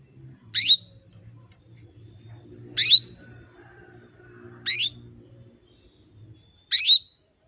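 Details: Female canary calling to attract males: short bright chirped calls sweeping high, four times, repeated about every two seconds, with faint low hum and soft background sounds between calls.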